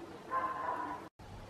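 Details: A big, round Eurasian bullfinch gives a single soft, low, steady piping whistle lasting under a second, over faint background hiss.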